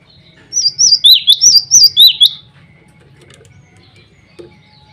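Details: Singing male cinereous tit calling out to rival males and to females, kept as a lure bird; one quick burst of about seven bright, high, upslurred whistled notes, then near silence with a faint soft knock.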